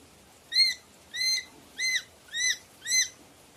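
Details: Red lory giving five short, arched, squeaky whistled notes at an even pace of about two per second, each rising then falling, over a faint background hiss.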